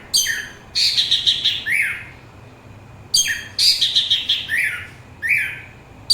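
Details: Song of an orange-headed thrush, the kind used for relaxation and to lure birds: rich, fast warbled phrases with trills and downslurred notes, delivered in two bursts separated by short pauses.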